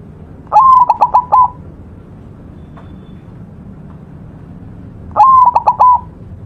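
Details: White zebra dove singing as a training model: two identical phrases about four and a half seconds apart, each a clear level coo with four rapid stuttering beats before a drawn-out closing note, with quiet background between.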